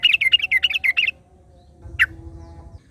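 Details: Yellow-vented bulbul in the wild, answered by another bulbul. A second-long burst of quick warbling chatter gives way to quiet, then one sharp downslurred chirp against a low rumble.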